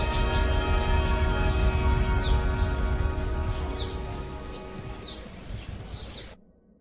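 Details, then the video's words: Common tailorbird giving loud, quick descending high chirps, roughly five spread across six seconds, set against continuous background music and low rumble until an abrupt stop. "Common tailor bird is speaking."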